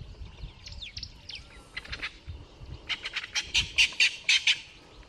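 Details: Two Natal spurfowls fighting to the death in Kruger National Park give harsh, grating squawks, starting faint and scattered, then building into a loud run of about ten rasping notes at a quickening pace.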